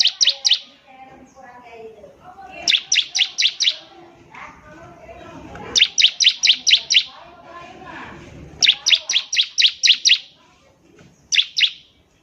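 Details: Vigorous bar-winged prinia song for young birds to learn from: repeated runs of five to seven sharp, high falling chips at a brisk pace, with faint low murmuring and scratchy background sounds between runs.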